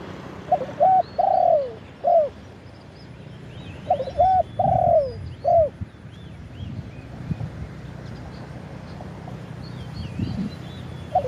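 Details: Spotted dove cooing used as a lure for wild birds, recorded live: two phrases of several mid-pitched coos with falling endings, a faint background of small birds chirping high and steady low hum.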